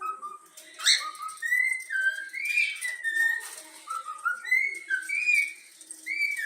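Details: Pet yellow-cheek cockatiel chick, trained indoors, whistling the Flamengo anthem: a quick rising sweep opens a string of pure, tuneful notes stepping between higher and lower pitches in a steady melody.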